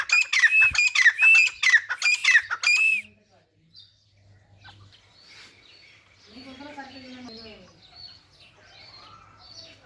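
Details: Grey francolin (teetar) playing in mud: six loud harsh arched squawks in quick succession, then near silence with faint chirps and a soft wavering lower call.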